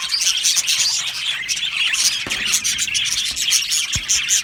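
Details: Budgie aviary colony of Australian parrots: busy overlapping high chirps and squeaky warbled notes from many birds, with brief whistled peaks and a few sharp taps or clicks.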